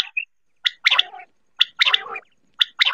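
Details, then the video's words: Quail calling for hunting: bursts of two or three sharp, clipped notes about once a second, each followed by a brief harsh, gargling trail. "batair ki shikar vip awaz.batair sound"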